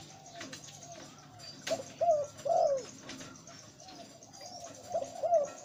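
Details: หลิ่วตัน-type zebra dove, a deep-voiced breeding male: three accelerating staccato coo notes, the last long and drooping, then a pause and another similar phrase, with a low hum behind.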